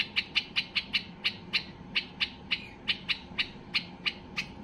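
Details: Steady series of sharp, bright chip notes, roughly three per second with brief gaps, from a white-eared bulbul in high excitement meant to make other bulbuls sing; a low hum underneath.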